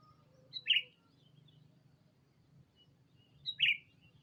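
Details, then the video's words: Sooty-headed bulbul calling a rival, used as a lure: two short bright chirps about three seconds apart over a low rumbling hum. "Suara burung Pikat kutilang memanggil lawan"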